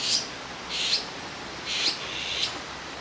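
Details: Azure-winged magpie fledglings waiting on a branch for a parent's feeding in Jirisan National Park, Korea; four soft, breathy, rasping calls spread over three seconds, over faint background noise.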